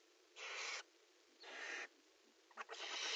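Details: Barn owls in a nest box during prey offering and mating: three harsh, hissing screeches, each about half a second long, broad and noisy with no clear pitch. The last screech begins with a few short crackles.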